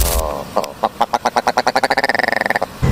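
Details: Willow ptarmigan (Willow Grouse, Lagopus lagopus) gives a nasal, knocking rattle of about two dozen notes that speeds up steadily over two seconds, likened to a bullet bike starting; a voice is heard briefly before and after.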